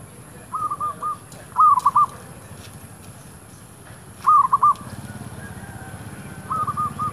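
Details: Zebra dove by shops, lured with a decoy: four short bursts of three or four clipped, slightly warbled notes at mid pitch, spaced irregularly, with faint clicks between.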